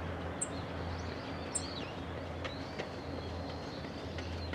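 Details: Black-faced bunting contact calls, a sharp "chit, chit" given by males and females, filmed from a tripod: two thin, high ticks roughly a second apart, over a steady low hum with faint distant birdsong.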